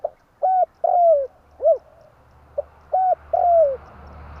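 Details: Spotted dove tarik akar call used as a lure for trapping: short coos, a long descending coo and a lone arched note, then another falling phrase, over a low steady hum.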